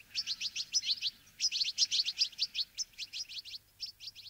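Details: Bramblings, Fringilla montifringilla, in a wintering flock eating sunflower seeds, giving dense bursts of quick, high twittering chirps with brief pauses between runs.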